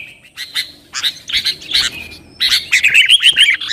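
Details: Sooty-headed bulbul song used to provoke rivals and prompt caged birds to sing: bursts of sharp chirps, then bubbly, whistled notes rising and falling in quick succession.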